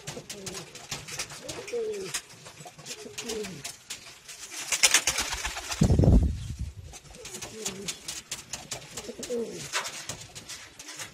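A pigeon gives low, throaty rolling coos in two bouts, each a few swelling phrases. Between them comes a loud burst of rumbling noise, with clicks and indoor clatter throughout.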